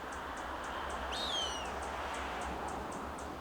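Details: A juvenile Cooper's hawk perched on a Monterey pine at SFB Morse Botanical Reserve, Pebble Beach, California, challenged by a larger hawk. It gives one high, thin whistled note slurring downward, over steady hiss and faint rapid ticking.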